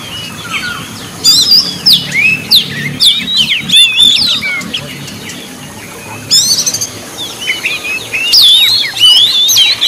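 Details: Energetic Oriental magpie-robin song for prompting quiet magpie-robins to sing: dense clusters of bright whistled notes and steep slurs, a gap of softer notes near the middle, then a fresh loud burst and more whistling, with low rumble below.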